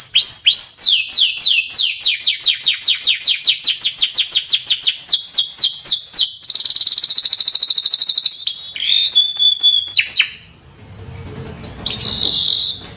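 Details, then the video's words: Timbrado canary singing a long beautiful melody: an extended run of fast, evenly repeated descending sweeps, a rapid buzzy roll, clear whistled notes, a brief lull with low hum, then renewed trilling. "Timbrado canary singing beautiful melody"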